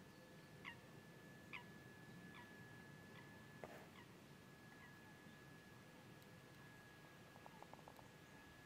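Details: Great crested grebe at Lake Cerknica, 23 March 2023, giving short, nasal, slightly mewing notes about a second apart, then a quick stuttering run near the end, over a steady background hum.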